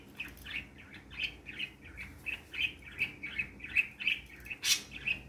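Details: Parakeet chirping from three pet birds playing happily in the morning: an even string of short bright chirps, roughly three a second, with one harsh loud squawk near the end.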